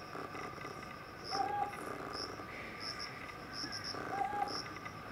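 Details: Two brief, low, hollow hoots from a Ryukyu scops owl, roughly three seconds apart, each slightly rising, while insects keep up a dense high chirring throughout.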